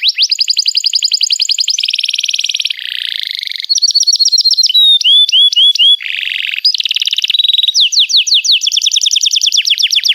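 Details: Canary song for training young canaries: a varied, energetic sequence of rapid repeated high chirps, buzzy rolls, clear upward and downward whistles and trilled phrases changing every second or so.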